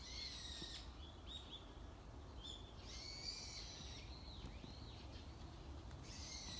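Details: Morning wild birdsong from birds that cannot be seen: soft high whistles, arched slurred notes and brief chirps scattered throughout, set against a continuous low droning noise.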